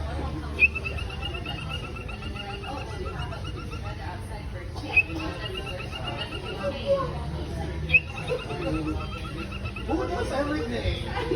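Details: A male cockatiel in a carrier backpack, getting a head massage, gives short, rapid, buzzy chattering calls over a steady low rumble.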